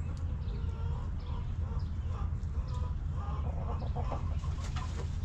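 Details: Backyard hens relaxing in their coop on a homestead, giving short harmonic clucks in scattered bursts through the clip over a steady low rumble of background noise.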